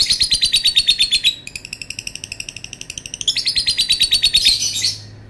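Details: Lovebird's long call: continuous fast, buzzy chattering notes, about three per second, dipping slightly softer midway, then rising into a rougher shrill burst before fading.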